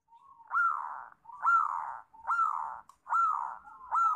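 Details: Local zebra dove giving soft, rolling coos that rise at the start, repeated about once a second in a steady rhythm.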